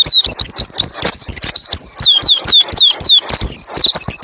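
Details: White-eye 'roll tembak ngalas' tutor song for stimulating other white-eyes: continuous high, bright whistled notes, many dipping then rising, laced with sharp ticking clicks at a fast, uneven rate.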